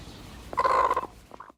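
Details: Contented hen trilling, the soft purr-like sound of a calm chicken: one rough, buzzy rolling note lasting about half a second, followed by a faint short afterthought.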